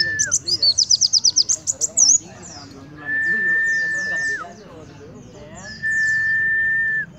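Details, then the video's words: White-eye confronting a sunbird head-on, opening with a fast run of evenly repeated sharp high notes, followed by softer scattered twitters, interrupted twice by a long, flat, sustained whistled tone. "Pleci Nembak Kolibri Depan Muka"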